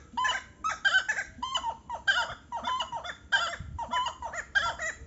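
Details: Probably a pair of buff-necked ibises giving loud, harsh, nasal honks in rhythmic bursts, roughly one per second, against a fairly quiet background.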